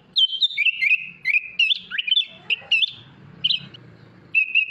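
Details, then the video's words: Kutilang, the Sooty-headed bulbul, singing a masteran isian mewah song: short fluty whistles and sliding notes in broken phrases, then a lower rasping patch before bright whistles resume. "MASTERAN KUTILANG ISIAN MEWAH"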